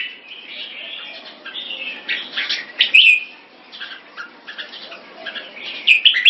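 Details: Red-whiskered bulbul competition bird in Singapore giving softer, scattered whistled phrases with a few louder chirps near the middle and end.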